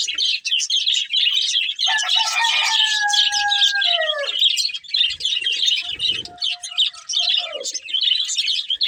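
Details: A pair of breeding budgerigars chirps and warbles in steady, high, scratchy chatter, while a rooster's long drawn crow cuts through in the middle.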